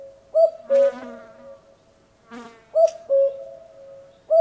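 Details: Common cuckoo giving its two-note call, a higher note dropping to a lower, held one, heard twice and starting a third time. Short buzzy, noisy bursts sound between the calls.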